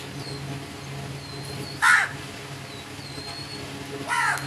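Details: Crow calls, a single harsh caw just before two seconds and a softer one at the end, with faint high drawn-out whistles of other birds and a low background hum.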